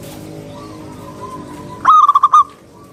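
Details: Local zebra dove in full song, recorded to lure other doves into singing: after a faint steady tone, one loud burst of about six quick, throaty, stuttering coo notes follows.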